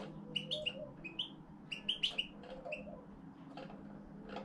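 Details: A pet European goldfinch that has begun song tutoring gives soft, halting twitters and bright tinkling notes in short bursts, with pauses between phrases; a low hum runs underneath.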